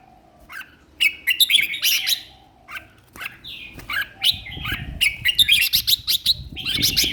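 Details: Red-whiskered bulbul kept as a caged competition songbird, singing energetically: rapid chirpy warbled notes with sharp clicks, in quick uneven bursts, some low thumping in the background.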